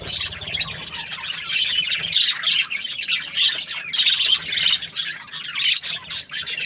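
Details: Budgerigar chirping happily, its rapid, buzzy warble rising and falling in loose waves, growing louder toward the end.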